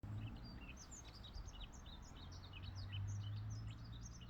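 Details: Yellow-throated bunting singing: a dense run of short, high, thin chirps and twittering notes, steady for about four seconds over a constant low rumble of background noise.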